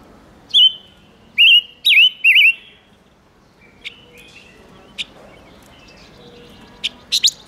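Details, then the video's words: Silver-eared mesia singing as a lure for wild birds: four bright, swooping whistles in quick succession, then scattered soft chips and sharp clicks over a quiet background. "Tiếng chim ngũ sắc hót kích trống căng lửa"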